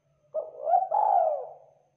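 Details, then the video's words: Spotted dove, a local bird in full voice, delivering one cooing phrase: a quick rising note, a second hooked note, then a long slurred coo that slowly falls and fades. "Suara Tekukur Lokal Gacor"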